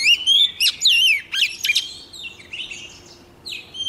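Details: Female White-rumped shama song played to rouse caged males: a loud opening of sweeping whistles and sharp chip notes for under two seconds, then quieter scratchy warbles and a final short phrase.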